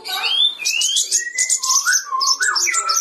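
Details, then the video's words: Sooty-headed bulbul singing to stir up a quiet rival: a continuous run of clear slurred whistles that glide down from high to low, with bubbly rising and falling notes over a faint high chatter. "SOGON GACOR MEMANCING EMOSI SOGON BISU"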